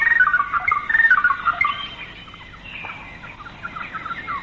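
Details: Large racket-tailed drongo recorded in Malaysian rainforest around the late 1950s: bright whistled phrases that rise and fall quickly at first, then fade into softer, scattered warbling notes.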